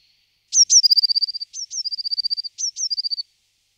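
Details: Three short phrases from a Eurasian blue tit, each with one or two piercing high notes sliding down into a brisk, level trill, the phrases separated by brief gaps.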